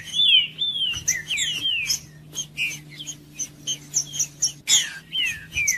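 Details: Green-winged saltator warming-up song for a cold bird: strong wavering whistles and downward slurs in short phrases, with sharp high chirps between them and a steady low hum underneath.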